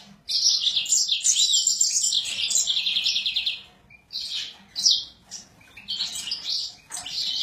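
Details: Sura in excited song, an extended high warbling trill full of fast buzzy notes, then a pause followed by shorter sharp chirped phrases and renewed twittering.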